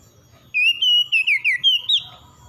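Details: Single lively morning phrase from an oriental magpie-robin: about seven loud whistled notes in quick succession, wavering and dipping, then ending on a brief upward flick. A low hum runs beneath.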